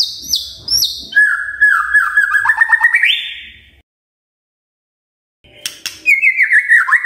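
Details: Magpie-robin singing in the morning to set off other magpie-robins: sharp whistles, a wavering downward-stepping trill, a short silence, then a falling warbled phrase.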